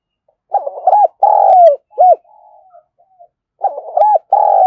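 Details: Spotted dove of Đồng Nai, Vietnam, giving a calling phrase used to attract wild doves. Low mellow coos come in two phrases, each with a long falling note, and quieter drawn notes fall between them.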